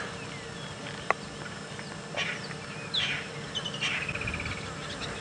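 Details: Two Lilac-breasted rollers flying overhead, apparently displaying, give rough, harsh, rasping squawks ending in a quick run of grating notes, over a steady background hum and a single sharp click, on a sunset drive in Djuma Game Reserve.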